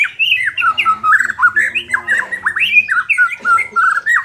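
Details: Song of a white-rumped shama, used to make an unmotivated bird more combative: rapid, continuous whistled phrases that swoop up and down, with sharp scratchy notes mixed in and a faint low hum underneath.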